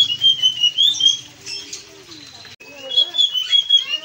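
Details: Blue-and-white flycatcher singing vigorously, a recording meant for training other birds: bright, high whistled phrases wavering up and down in two bursts separated by a short pause, with faint lower warbling notes beneath.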